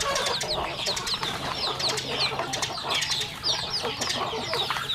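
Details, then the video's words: Home farm chickens eating: many high, falling peeps and light clucks overlap steadily, with a low steady hum in the background. "Yummy sounds chicken eating"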